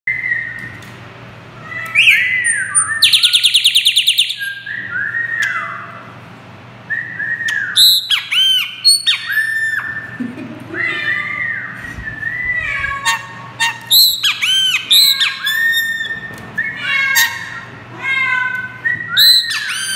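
A Chopi blackbird sings a varied run of liquid whistles and buzzy bursts, copying a Great Kiskadee.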